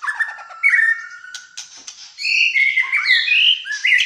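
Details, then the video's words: White-rumped shama from Malaysia in full fighter-style song: long level whistles and downslurs, then brighter looping phrases and rising sweeps delivered loudly and continuously. "MURAI BATU MALAYSIA GACOR FIGHTER"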